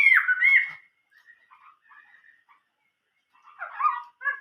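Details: Chinese hwamei in 'old forest voice' style song: a loud looping whistled phrase, then scattered soft notes and a warbled burst near the end.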